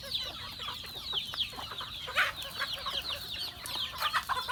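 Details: Dense, high chirping from a flock of farm chickens during feeding. Overlapping peeps with scattered louder bursts and a sharp squawk midway, plus occasional low clucks.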